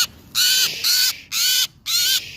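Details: Crows that had attacked a blue jay, about three days before Halloween, give four loud harsh caws, each about a third of a second, roughly every half second, over a quiet background.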